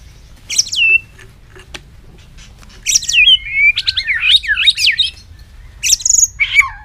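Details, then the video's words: White-rumped shama singing a long, varied strand: sharp high swoops and rapid zigzag whistled phrases in bursts with short pauses. No other sounds are clear. "chòe lửa hót giọng dây dài"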